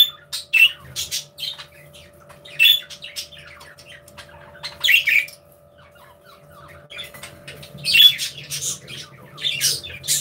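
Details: Budgerigars interacting in an aviary give scattered sharp squawks and buzzy chirps, with quieter scratchy chatter between, growing busier toward the end, over a constant low hum.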